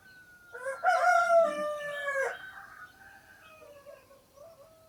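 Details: A rooster crows loudly in the early morning in Namje Village, Dhankuta, captured with a Sony camera: a harsh, harmonic-rich crow lasting about two seconds, fading into softer, lower trailing notes.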